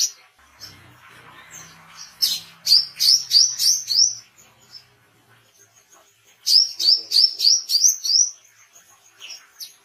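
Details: An Oriental white-eye giving lively chirps for training caged songbirds and luring wild ones. Two series of five or six high, down-slurred notes are separated by about four seconds of near silence.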